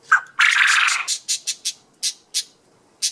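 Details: Male Japanese quail kept as a pet, calling for a mate: one sharp high note, then a loud buzzy drawn-out burst, followed by a string of short clipped notes, roughly three per second.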